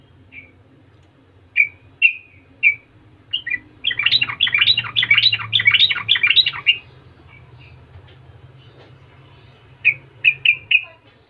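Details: Yellow-vented bulbul, a lively, prolific singer said to provoke other bulbuls into answering. Short bright chirps come first, then a rapid bubbling run of about a dozen warbled notes, then more paired chirps near the end.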